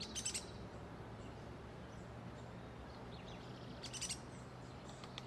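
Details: Juvenile Checkered Woodpecker (Veniliornis mixtus) at Costanera Sur Ecological Reserve, Buenos Aires, 8 February 2022, begs repeatedly while an adult forages to feed it: two bursts of high, squeaky clustered notes four seconds apart, faint notes after, low hum.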